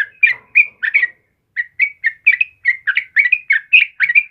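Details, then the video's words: Yellow-vented bulbul in full voice, recorded as training material for caged birds: bubbly whistled notes, then a short gap, then a steady string of chirpy rising and dipping phrases. "SUARA TRUCUKAN KEBO GACOR"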